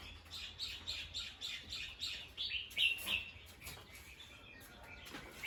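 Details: Bulbul giving an alarm call, alert after hearing a sound: a quick run of short, harsh chirps repeated about three times a second, moderately faint, with other softer chirping behind.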